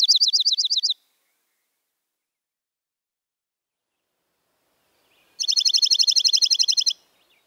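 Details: Dark-eyed junco chatter call: two fast, dry trills of evenly repeated high notes. The first lasts about a second and the second, longer burst starts after a silent pause of roughly four seconds. No other sounds.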